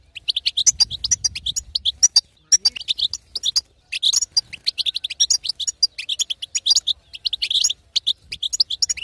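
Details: Female European goldfinch singing to rouse a quiet male into song; dense, continuous tinkling twitter of quick high chirps with little pause, slight low hum in the background.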